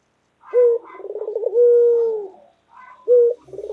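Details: Loud white local Barbary dove cooing: a short clipped hoot, a quick rolling stutter, then a drawn-out even coo, followed by another short hoot and the start of a fresh roll.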